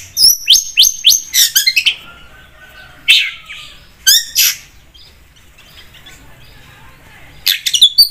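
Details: Long-tailed shrike (cendet) in full voice: a quick cluster of high chirps and whistles, then short isolated bursts separated by quiet gaps, ending in another rapid flurry.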